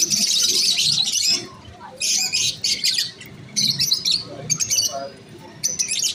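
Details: Masked lovebirds producing harsh, high-pitched chattering bursts, a long opening burst followed by shorter clipped chirps and brief pauses.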